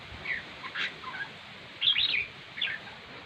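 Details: Red-whiskered bulbul singing, described as singing very well: a few short, bright chirping and warbled notes, some rising and falling, given in scattered bursts with brief quiet gaps and a faint background hiss.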